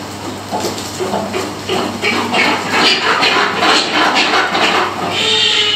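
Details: Southern rockhopper penguins at an aquarium in breeding season, a pair re-forming after 23 days of sex-separated housing, with males carrying nest material, give harsh, rasping braying bursts repeated rapidly over a steady low hum.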